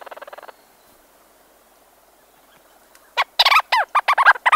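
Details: Leach's storm petrels, two birds calling from a burrow, heard close: a brief soft pulsed churr opens, then near silence, followed by an abrupt loud run of chattering, arching notes to the end.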